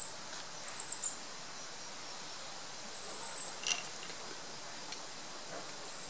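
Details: Long-tailed tit nestlings giving very high, thin, shimmering trills in brief bursts of about half a second, repeating every two to three seconds, with a quiet, faintly hissing background.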